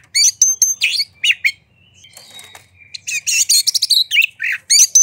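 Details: White-rumped shama singing to provoke rivals: sharp chattered notes and a clear whistle, a faint quieter passage, then a loud run of rapid rattling and whistled phrases.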